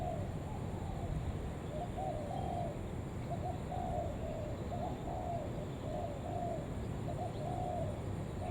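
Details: Spotted dove kept as a lure bird, 'Đồng Vấp' lure style, giving its urging call to draw other doves: soft, low coos in short grouped phrases, repeated steadily across the recording over a constant deep rumbling background noise.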